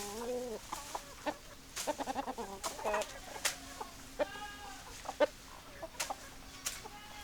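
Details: Clear chicken clucking: low, nasal clucks rising and falling, short stuttering runs of notes, and a few sharp clicks between the calls.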